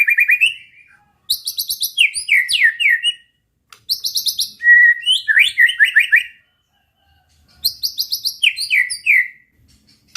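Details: White-rumped shama singing to provoke rival birds: three separated phrases, each a rapid series of high ringing notes followed by tumbling downslurred whistles, with brief silent gaps between.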